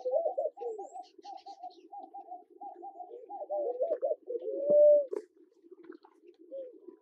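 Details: Namaqua dove in Kenya: a run of short, evenly spaced low hooting notes speeds up and ends in one long, clear, sustained hoo, followed by faint softer hoots over a steady low background hum.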